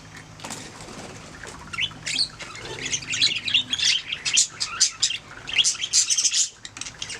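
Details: Budgerigars chirping, starting quietly and building into busy, high twittering chatter with scratchy squawks through the second half.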